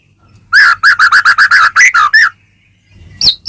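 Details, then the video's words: White-rumped shama (murai batu), caged, sound meant to provoke another bird to sing; a rapid series of about ten repeated chipping notes, then a pause and two higher sharp notes. "murai batu gacor ngeplong PANCINGAN murai batu agar bunyi jadikan burung murai gacor EMOSI NYAUT"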